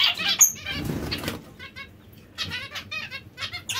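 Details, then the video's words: Captive zebra finch breeding pairs: short nasal, buzzy call notes in a loose burst in the second half, after a noisy start with wing flutters and low rumble. "Diamante mandarino/coppie riproduttive"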